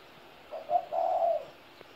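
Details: A single soft coo from a 17-year-old spotted dove: a quick low note, a tiny pause, then a longer rolling coo fading out, in a quiet setting.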